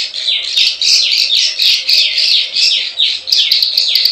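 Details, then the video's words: Plain prinia lure call, klik klik ciwah style: loud, buzzy notes that sweep down in repeated chevron-like phrases, about two each second, separated by short gaps, with faint clicks above. "SUARA PIKAT PRENJAK SAWAH_KLIK KLIK_CIWAH"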